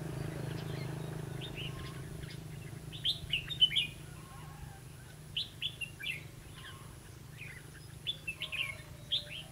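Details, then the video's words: Red-whiskered bulbul singing during a trapping session on 11 November 2016: clusters of quick, bright warbled whistles in bursts a second or two apart, with a low hum underneath. "Bẫy chào mào lăng xăng- mau mỏ"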